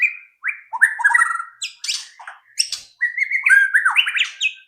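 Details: Lure recording of white-rumped shama song meant to prompt other shamas to sing: a rich, varied run of rising and falling whistles, fluty slurs and sharp high notes, almost without pause.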